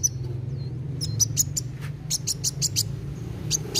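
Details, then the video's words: Fast-singing sunbird, used to stimulate young birds to sing; a thin descending whistle, then spaced high sharp chips, clustering into a quicker series before thinning out, over a constant low droning hum. "KOLIBRI WULUNG GACOR NARUNG CEPAT MERANGSANG BUNYI BURUNG BAKALAN"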